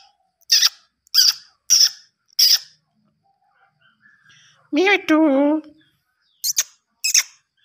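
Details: A pet talking Indian ringneck parakeet gives four sharp clicks, then a short burst of nasal, speech-like chatter, ending with two more clicks.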